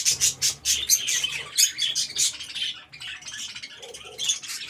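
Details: Budgerigars in an aviary producing a busy overlapping chorus of high warbles and rapid chirps, with a steady low hum behind them.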